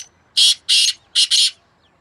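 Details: Two black francolins competing in call, recorded 2 May 2024: two long, hoarse, scratchy notes then a fast harsh double note, loud and close, against a quiet backdrop.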